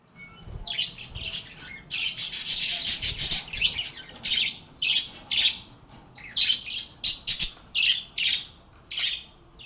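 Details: Happy budgies (parakeets) singing and chatting with one another in a calm setting: dense bursts of shrill, scratchy chirps and warbles, some steady runs and some rapid chopped notes a second or so apart.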